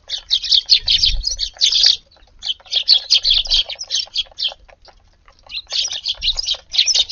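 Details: Eurasian tree sparrows feeding in a garden around midday on a warm 10 February; a flock keeps up dense, rapid chirping in bursts of a second or two, separated by short gaps, with occasional soft low thumps.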